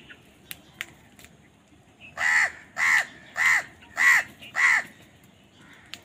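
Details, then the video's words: During a fight for food, a crow gives five harsh caws evenly spaced about half a second apart, following a few faint clicks. "Crow Bird Fight for Food | Crow Bird Unity Anger and Crowing Sound"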